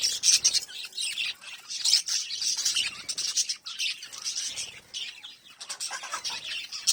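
Budgerigars chatter in a dense stream of high, scratchy chirps and warbles with no pause.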